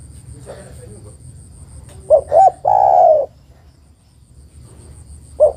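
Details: ['A female spotted dove calls the male over faint background hiss: two short low hoots and a long purring coo, then the start of another phrase. The call is a lure for males reluctant to sing.']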